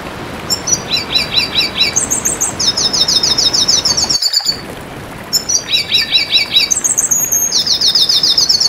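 A red siskin sings a high, rapid twittering song of buzzy trills and tinkling notes in two bursts, over a steady hiss like light rain.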